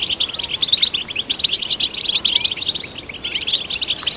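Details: Singing European goldfinch, its song offered to stimulate other goldfinches: quick, bright twittering phrases of tinkling high notes and short buzzy trills, run together steadily for several seconds.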